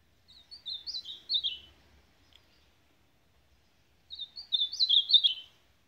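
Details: Ultramarine grosbeak singing two short warbled phrases of slurred whistled notes, the second starting about three seconds after the first ends; faint low rumble beneath.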